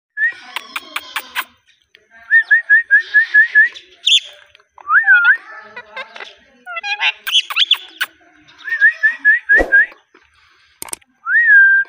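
Rose-ringed parakeet giving quick runs of repeated whistled notes, about six in a row, mixed with harsh chatters, squawks and rising whistles.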